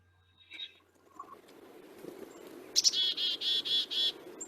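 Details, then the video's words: A Black-capped Chickadee gives its namesake 'chickadee' call: a high, sharp note followed by a run of four or five buzzy, harsh 'dee' notes, over faint background hiss. "and they have a pretty call they're named for their call because their call sounds like chickadee"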